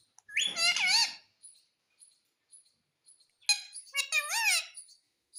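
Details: A talking parrot mimicking the word "mummy": two squeaky, harmonic-rich utterances with wavering, bending pitch, the second coming about three seconds after the first, with silence between.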